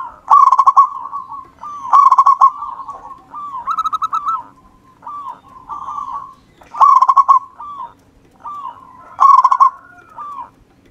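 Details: Wild local zebra dove in steady song: soft arched coos near one pitch, broken every two to three seconds by loud, rapid staccato bursts of clipped cooing notes.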